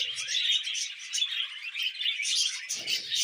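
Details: Happy budgies eating veg keep up a busy chorus of bright chirps and squeaky twittering notes, steady and unbroken, with a little low rustling at the start and near the end.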